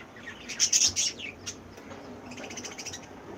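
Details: Cockatiel, a breeding bird with a new baby expected soon, gives a loud burst of high, harsh chirps, a short slurred note, then a quicker run of fainter, rapid chirps against a low background hiss.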